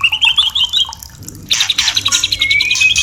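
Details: Lure song of the white-rumped shama, meant to stimulate breeding and mating in caged birds: a fast whistled trill, a short lull, then a burst of harsh rattling notes with a thin rising whistle.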